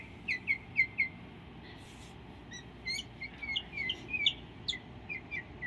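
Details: Northern mockingbird singing at home in Delray Beach, Florida, on 7 September 2017, around Hurricane Irma: a run of short, sharp chirped phrases, some repeated two or three times, over a steady low hum.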